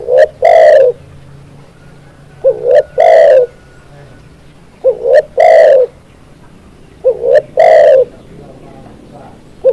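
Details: Spotted dove cooing, used as a lure and training tutor: loud, deep phrases of a short soft note followed by two hollow, full coos, repeated about every two and a half seconds over a quiet background.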